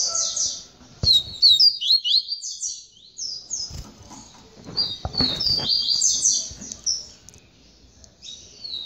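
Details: Double-collared seedeater, tamborete song, after mating with the female: continuous high buzzy chattering phrases with slight pauses, over soft background knocks and room noise.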